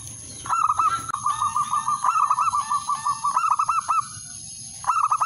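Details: Male zebra dove calling a rival: a long rapid run of short, bubbling cooing notes at a steady pitch, pausing briefly, then starting again near the end, over a constant thin high-pitched electronic whine.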